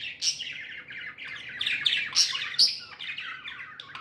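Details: Pet budgies, called happy, produce quick, scratchy warbling chirps, with several loud sharp squeaks in the middle and a softer trailing chatter.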